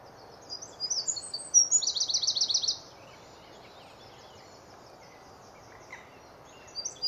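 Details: A Eurasian wren singing in a tree in the early morning in spring in Hampshire, UK, bursts into a loud, high, tumbling song with a fast rattling trill for about two seconds, then starts again; steady background hiss throughout.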